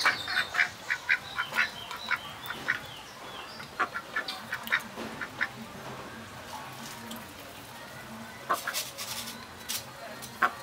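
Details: Juvenile mallards giving a run of short, rough quacking calls, quick and irregular, clustered at the start and again near the end, with quieter gaps between.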